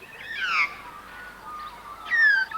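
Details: Australian magpies on a Melbourne film set, calling from a tree overhead, giving rich, fluting, warbled phrases that slide and waver between middle and high pitches, in two bursts with a quieter gap between; call described as beautiful and distinctive.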